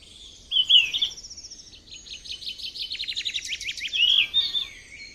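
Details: Wild yellow-rumped flycatcher singing a high, lively phrase: a whistled note, then a fast run of clicking, trilled notes, and more clear whistles at the end.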